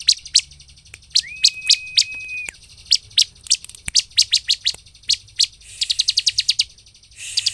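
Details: Bar-winged prinia song for provoking rivals into singing: sharp high chirps in steady sequence, a long thin whistled tone partway, then rapid buzzy trills near the end.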